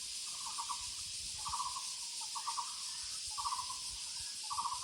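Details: In the woods, a Muller's barbet gives five quick bursts of rapid, hollow, low notes, roughly one burst a second. A constant high insect hiss continues behind it.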